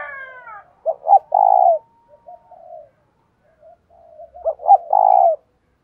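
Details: Spotted dove kept as a decoy, calling to draw in wild males, one-ending-note style. Two loud coo phrases, each a short double stutter and then a drawn-out hooting note, with soft murmured coos between them.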